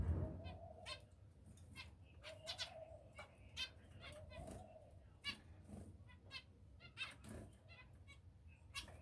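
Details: Pet finches calling indoors: short nasal harmonic beeps repeated irregularly, some in quick pairs, with a few lower sliding tones and a steady low hum behind.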